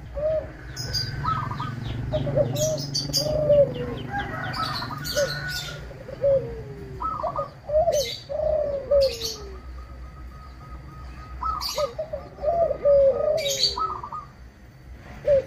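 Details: Local Indonesian zebra dove singing actively in a clear 'crystal' voice, used to lure and provoke other zebra doves into singing. Soft, bubbling, warbled coo phrases come in repeated bursts for about fifteen seconds, broken by sharp high clicks.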